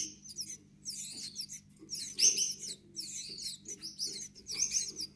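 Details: Gouldian finch nestlings calling with rapid, high, wheezy buzzing chirps in irregular bursts, some louder peaks, over a faint constant low hum.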